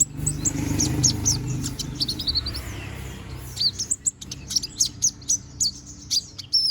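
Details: Konin bird, a young bird regrowing feathers, in energetic song used for training: dense high twittering with quick downslurred notes, softer at first, then sharper chirps spaced about every half second, with low rumble beneath.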